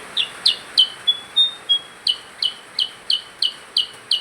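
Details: Vigorously singing percang gives rapid, sharp chirps about three per second, broken by a short run of thin level whistles before the chirping series resumes; steady hiss in the background.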